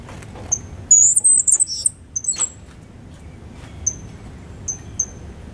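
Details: Cuban grassquit, a young captive bird five months old from a 2022 brood, delivering its loud clear song with a trill learned from a tutor bird: a bright high warbled burst, then spaced single thin whistles.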